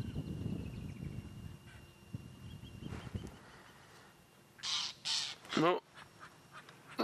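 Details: On a sunrise safari on 5 December 2016, a Lilac-breasted Roller mobbing a bird of prey, thought to be a Wahlberg's eagle, gives three or four harsh, rasping bursts in quick succession after quiet talk over a low outdoor rumble; finding: Lilac-breasted Roller.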